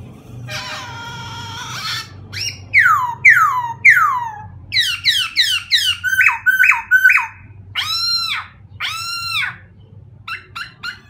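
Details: White-crested laughingthrush singing: a harsh, buzzy harmonic note, then a string of loud descending whistled slurs, quick chattering repeated notes and clipped whistles, varied and irregular over a steady low hum.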